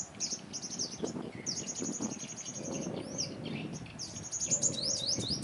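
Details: Sunbird during trapping, confronting rival dominant males: dense high, rapid twittering trills sweeping across the upper range, nearly continuous, over low rumbling background noise.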